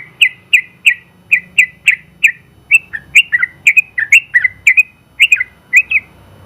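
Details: Prize-winning caged Sooty-headed bulbul in extended ropel song for tutoring gives evenly spaced bright chirped whistles, then a quicker jumble of paired slurred notes, over a quiet low hum.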